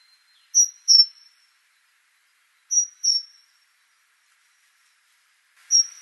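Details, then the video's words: Repeated two-note phrases from a great tit (Parus major): bright, high whistles with short falling tails, three phrases roughly two to three seconds apart in otherwise quiet surroundings. "Great Tit Parus major)"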